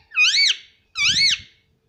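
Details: Two loud, squeaky, arching utterances in quick succession from a pet Indian ringneck parrot talking nonstop, with a soft low rustle under the second.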